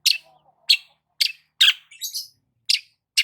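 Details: While sunbathing in the morning, a long-tailed shrike gives harsh, rasping chak notes at irregular intervals, with one softer buzzy phrase in the middle.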